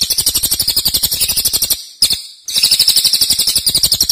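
Cililin singing a fast, high, rattling series of sharp chirps, about five per second, broken once by a half-second pause.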